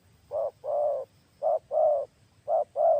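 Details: Deep, hollow coos from a spotted dove decoy kept to lure wild doves: three paired phrases, each a short note followed by a longer, steady rolling coo, at an even pace against faint low background noise.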